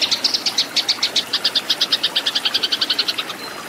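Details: Tree sparrows in a fight, recorded to train cage birds: a quick train of bright, sharp chirps, roughly seven per second, steady and loud, ending with a short faint whistle.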